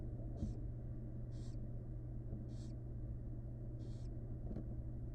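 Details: A mother barn owl, with her first nestling seen for the first time, gives short, breathy hisses, four or five spaced about a second apart, over a steady low hum.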